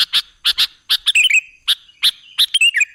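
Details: Sooty-headed bulbul voice used as a trapping lure for other birds: clipped bright notes in pairs, then a rapid tumbling warble, with the pattern repeating over three seconds.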